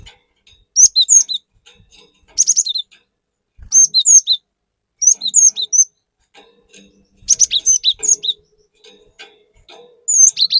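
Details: Cinereous tit singing in a lively, rapid-fire (nembak) style, meant as a lure to excite other birds. Short phrases of clear whistled, slurred notes repeat roughly every one and a half seconds, about six bursts in all.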